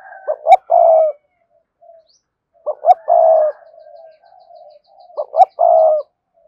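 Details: Spotted dove, cườm sa type, urging cooing: a low coo phrase of two short notes and one long note, repeated three times at roughly two-and-a-half-second intervals, with soft murmured coos in the gaps.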